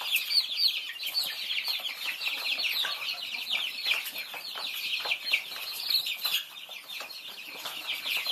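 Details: A group of Thai baby chickens feeding, filling the air with rapid, high, descending cheeps in a dense continuous chorus, slightly quieter toward the end.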